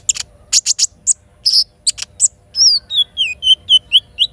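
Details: Little spiderhunter singing in the morning with learned kinin phrases. Sharp clipped chirps come first, then a stepped series of clear whistled notes falling in pitch and repeated in quick succession.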